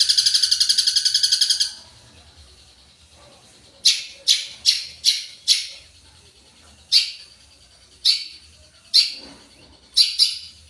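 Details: Long-tailed shrike in full isian song, opening with a fast rattling trill, then after a pause loud harsh rasping notes given singly or in pairs.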